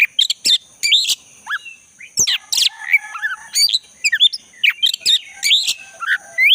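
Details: Black-breasted Oriental magpie-robin in full song, a varied run of sharp whistled notes, slurs and short chirps at high pitch with brief gaps. Played as a lure to get a caged bird that has gone quiet singing again.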